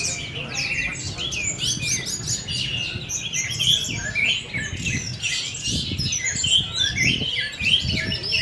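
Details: Orange-headed thrush, a young bird only four months old, singing in the teler style: a dense, rapid stream of high chirps, trills and whistled slurs, continuous throughout, with low rumbling background noise.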